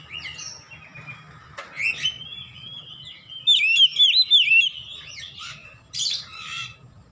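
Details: Oriental magpie-robin in full 'ngeplong gacor' song for home training of caged birds: soft warbling builds to a loud run of rapid looping whistles, then a brief harsh burst near the end.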